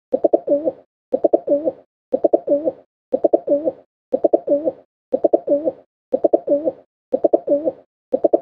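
Pigeon cooing: low, throaty phrases of a few quick pulses and a rolling coo, repeated about once a second, with no other sounds.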